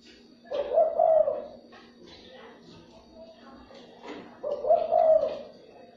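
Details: Spotted dove cooing, used to stimulate and lure other doves; two hoarse, mid-pitched coo phrases about four seconds apart, separated by quiet stretches with faint background noise.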